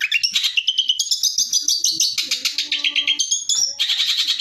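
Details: Long-tailed shrike training song, 'tembakan' style: continuous twittering with rising whistled notes and quick trills, plus faint low steady tones underneath.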